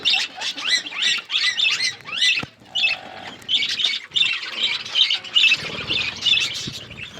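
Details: Budgerigars in a forest-setting outdoor aviary while eating seeds; repeated arched squawky chirps, then continuous high warbling chatter from several birds, with a brief low hum.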